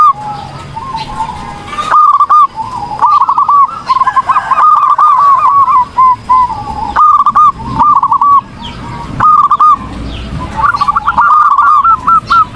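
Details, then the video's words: Zebra dove in lively song, recorded as a training song for other birds: about a dozen runs of fast, hooked, cooing notes, some rattling and dense, separated by short silences, over faint background hiss. "PERKUTUT GACOR || COCOK UNTUK MASTERAN || SUARA BURUNG PERKUTUT"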